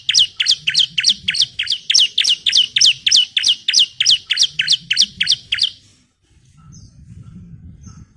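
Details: Female Bar-winged Prinia calling for a male. Around seventeen loud, shrill, down-slurred chirps run in a fast steady string, then stop, leaving a faint low background hum and two soft distant notes.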